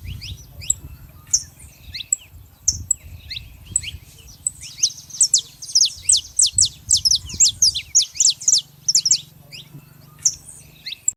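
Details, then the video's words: Free saffron finches singing together in the wild: scattered high chirps building into a dense sequence of sharp, downslurred notes, with a faint low hum beneath. "festa dos canário da terra livre na natureza"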